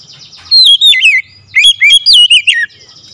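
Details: An Oriental magpie-robin gives loud, ringing calls in two bursts of rich whistled notes, each note swooping down or looping up, separated by a short pause.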